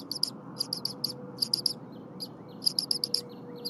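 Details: Eaglet of a wild bald eagle pair calls at the nest on a January 2022 morning as the mother defurs frozen prey, its crop already stuffed. Piercing high chirps come in runs of two to four, with short pauses, over steady low rumble.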